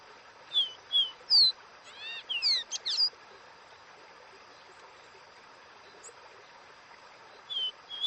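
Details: Caboclinho seedeater (Dó Ré Mi song) sings a quick series of clear, high whistled notes, some sliding and some chirpy, in bursts with pauses, over a steady background hiss.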